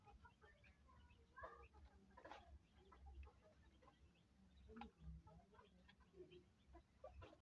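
Silkie chickens and hens cluck in short, scattered, mid-pitched notes over a steady low rumble of background noise.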